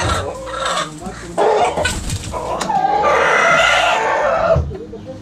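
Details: Backyard roosters and hens pecking and scratching: loud, harsh, raspy calls with brief outbursts early on, then a long drawn-out strained call lasting over a second before fading, over low rumbling background noise.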